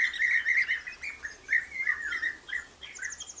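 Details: Common nightingale in full song, delivering quick varied phrases: rapid repeated notes, slurred whistles and a buzzy rattling trill at the end.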